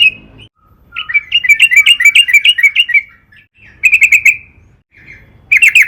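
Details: Lure song of a Sooty-headed bulbul, used to make other bulbuls sing: short bright note, a rolling burst of about ten quick slurred chirps, then two further brief chirping bursts separated by pauses.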